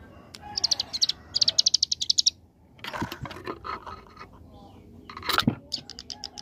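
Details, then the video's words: Ciblek gunung, the hill prinia, in 'ngebren' AK47 song: two quick high rattling bursts, then rustling and knocking noises with brief voices, and a final short trill. "Ciblek Gunung Paud Gacor Ngebren Ak47"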